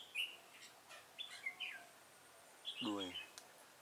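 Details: Red-whiskered bulbul fight-singing at a trap, 26 September 2017: quick bright whistled phrases, rising and falling, in several bursts, with a short low nasal harmonic sound near the end.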